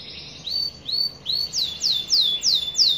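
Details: Young canary in full 'gacor' song, with rolling 'ngerol' phrasing: a series of bright descending whistled sweeps, about three per second, growing louder and steeper as the phrase goes on.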